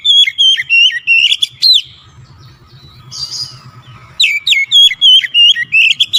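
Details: Oriental magpie-robin in vigorous song for luring other birds: fast series of loud, crisp whistled notes with upward flicks, a pause with a soft hiss and low hum, then another quick rippling series.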